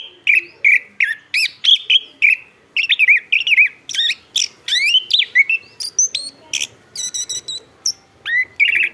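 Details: Chestnut-backed thrush in steady, rhythmic song: repeated short whistled notes rising and falling, about two per second, then bright high trills and chirps toward the end.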